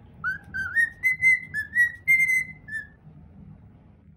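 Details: A cockatiel whistles its original song: a rising series of about eight bright, clear notes, the last ones held flat, then it stops. A low rumbling household hum runs underneath.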